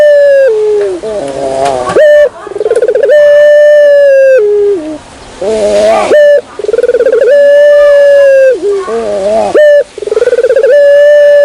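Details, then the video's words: Lure call of the Barbary dove, given in repeated phrases. Each one falls, breaks into a rolling trill, then settles on a sustained, even coo, with brief silences between phrases. "suara pikat burung puter"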